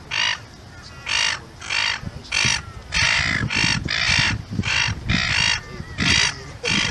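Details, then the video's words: Gull calling in a repeated run of about nine strident, squawking notes over nearly seven seconds, a few of them longer and drawn out, above a faint low rumble. "What Sound Does a Seagull Make"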